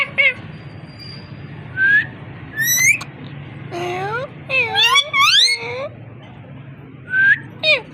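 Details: Parrot talking: a run of harmonic, speech-like phrases with gliding whistled notes rising and falling, several loud swooping syllables in the middle, short whistles at the start and end, indoor room hum beneath.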